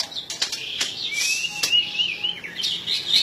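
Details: White-rumped shama song: a long, smooth whistled phrase that rises and falls, mixed with sharp chirps and clicks, over a steady background hiss.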